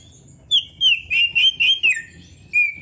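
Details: Kacer (Oriental magpie-robin) song for songbird training: six loud, clear whistled notes in steady succession, the last sliding downward, then one more whistle after a brief gap.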